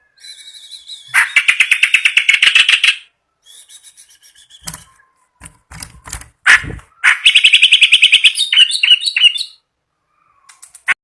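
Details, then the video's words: Kept clamorous reed warbler in energetic full song, said to sing day and night; long rattling runs of rapid scratchy notes, with brief clicks and gaps between, then another harsh churring burst ending in sharp squeaky notes. "burung kerak basi gacor ngamuk siang malam"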